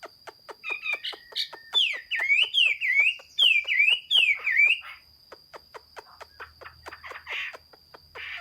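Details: Chinese hwamei singing, recorded 15 June 2021: a run of loud, slurred whistles, each dipping and then rising, repeated about five times in three seconds. Sharp clicking ticks come before and after, with a faint steady high tone behind.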